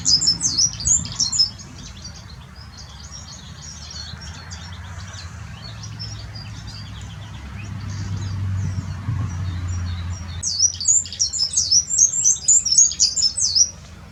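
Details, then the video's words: A European serin × canary hybrid (mule) sings in fast, high, jingling bursts of buzzy trills and twitters, with a quieter stretch in the middle and a low background hum. "serinous mule singing.european serin X canary"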